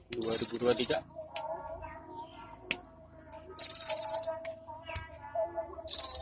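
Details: Cinereous tit delivering an 'isian mewah' filled song: piercing high rattling trills of about a dozen rapid notes, repeated roughly every three seconds, with quiet lower tones and faint clicks between bursts.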